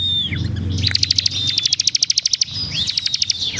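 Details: Bar-winged Prinia in full gacor song with rapid-fire tight bursts: a sliding high whistle gives way to a fast train of about fifteen sharp ticking notes, then another rising-falling whistle, over faint low hum.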